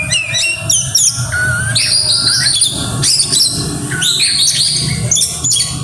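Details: Oriental magpie-robin in aggressive song with mimicked phrases: bursts of high whistles and chirps, some downslurred notes, over a steady low background hum.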